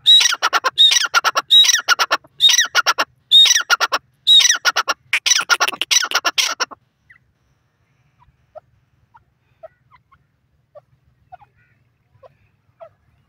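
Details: Grey francolin giving a rapid run of loud, harsh, rhythmic phrases for about seven seconds. Each phrase mixes shrill whistled notes with grating clicks. The calling then stops, leaving near silence with a few faint ticks.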